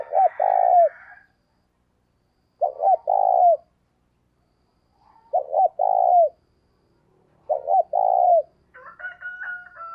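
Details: Decoy spotted dove cooing vigorously, used to stimulate other doves to coo: four phrases, each two short clipped notes then a long, low, slightly falling coo, spaced about two seconds apart, with a brief higher bird call at the end.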